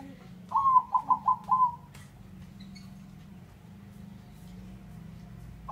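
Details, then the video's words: Singing male zebra dove of the bangkok type: a quick run of five soft, even cooing notes at the start, then only a low droning hum remains. "Perkutut Gacor dan rajin bunyi"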